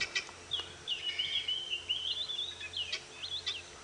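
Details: A guineafowl gives a high, wavering, chattering alarm call at a male leopard hidden nearby, during a sunrise game drive at 6:00 AM on May 3, 2017, at Djuma Game Reserve.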